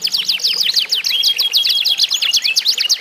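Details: Competing isian canaries, sounds used to prompt other canaries into song; swift repeated chirps roughly two per second-beat cluster, over a sustained thin whistled tone running through the middle.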